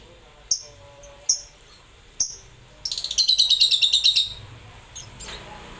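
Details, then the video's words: Lovebird giving a few isolated sharp high chirps, then a fast rattling run of shrill repeated notes lasting over a second, fading into quiet. "Lovebird Auto Bunyi kalau dengar"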